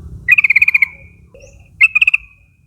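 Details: Yellow-vented bulbul calling young forest flock mates to join in, used as a lure; a rapid run of about nine bright chattering notes ending in a trailing tone, then a shorter burst of five, faint rumble beneath.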